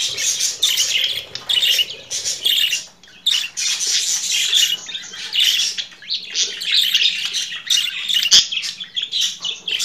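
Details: Budgerigar chattering in a continuous warble of squeaky, scratchy notes, with brief dips into quiet around three seconds and a sharp click near the end.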